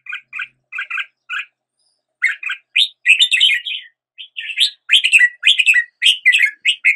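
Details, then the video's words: Red-whiskered bulbul opening with spaced, evenly paired chip notes, then after a pause breaking into a fast, varied warble of bright rising and falling notes that continues to the end. "Red whiskered Bulbul Song"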